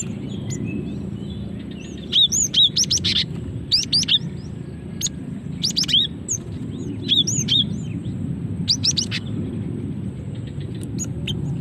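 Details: Female cinereous tit calling to lure males and prompt singing: repeated short groups of high chirps and rising whistles every second or two, over a constant low background hum.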